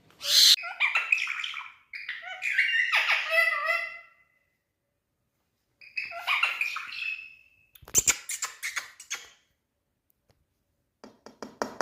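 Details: Pet Indian parrot speaking: harmonic, voice-like phrases with squawky bursts and short pauses, then a sharp click-like noise and faint rapid ticking at the end.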